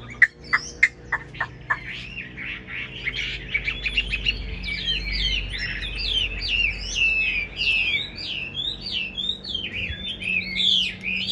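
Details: Caged Chinese hwamei singing: a burst of sharp repeated notes, then a lively run of varied, slurred whistled phrases, rising and falling quickly, with faint low hum beneath.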